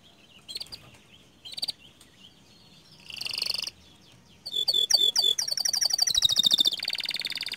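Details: Panda canary song in rolling style with long bursts: soft, scattered notes at first, then from about 4.5 seconds a loud run of quick repeated whistles turning into a sustained high buzzy trill.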